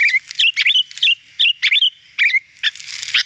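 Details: Sooty-headed bulbul, training recording to make the bird sing: separated bursts of whistled, slurred notes with some slightly hissy, noisier phrases toward the end.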